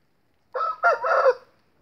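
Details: Short crow from an Indio game rooster held for breeding: a brief opening note, a gap, then a longer harsh, ragged phrase ending abruptly, all under one second, in silence.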